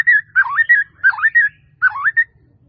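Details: White-rumped shama, a masteran recording: three repeated phrases, each a clear whistle followed by a wavering dipping warble and a level whistle, about a second apart, clean and melodious.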